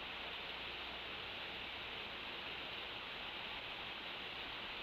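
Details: Steady hiss fills a night infrared nest camera feed at Decorah, with no calls or wing sounds.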